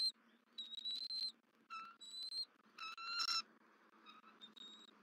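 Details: At a Southwest Florida nest on 31 December 2023, a female bald eagle back at the nest screeches toward the male feeding the eaglet; high drawn whistles and a brief harsh chattering burst over a low background hum.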